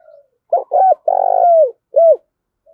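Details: A decoy spotted dove gives its loud challenge to rivals: paired short coos, a long pulsing coo sliding down at the end, and a final brief falling coo, clear against a quiet background.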